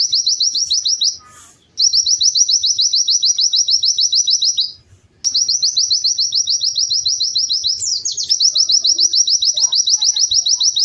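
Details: Pleci (white-eye) singing busily, a bird used to coax silent white-eyes into song: long, even runs of rapid high chirped notes, several per second, with two brief breaks and a sharp rising note near the end.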